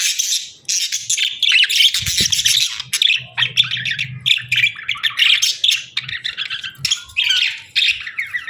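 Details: Budgerigars chirping and singing while playing: dense, continuous run of scratchy warbles and chatter, squeaky notes with short gaps, and a brief low hum in the background partway through.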